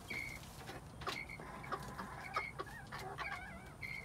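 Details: Quails recorded in spring 2021: repeated short, bright whistled notes, several rising and wavering, coming every half second or so from more than one bird, with soft clucking sounds between.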